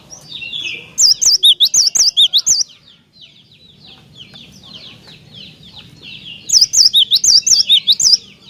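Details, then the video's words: Lively cinereous tit song meant to provoke other tits to sing. Two bursts of quick, bright, repeated high two-note phrases open and close the recording, with a quieter gap of faint chirps between them. "Jika Glatik Batu Anda Di Pancing Dengan Kicauan Glatik Batu Gacor Ini"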